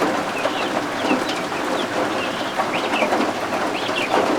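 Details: Newly hatched guinea fowl keets kept indoors under a heat lamp give short, high peeps that rise and fall in quick scattered bursts, with steady rain hissing in the background.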